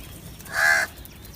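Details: Crow giving a single harsh caw lasting about a third of a second, strong and clear against a quiet background.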